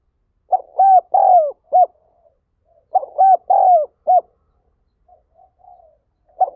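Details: Spotted dove giving its gáy gọi calling coo: low mellow phrases of four notes, a short coo, a hooded coo, a long falling coo and a clipped end, repeated twice with soft murmurs between, no other sounds.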